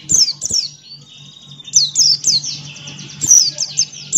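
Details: Buxton's white-eye singing ngalas style with open beak: fast strings of high, sweeping downslurred notes linked by a thin drawn-out whistle, over a low hum.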